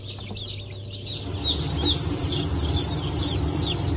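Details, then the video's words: Newly hatched Blue Brahma chicks from a hatch of 22 June 2024: many high, short, downslurred peeps overlapping continuously, over a steady low machine hum. "Blue Brahma"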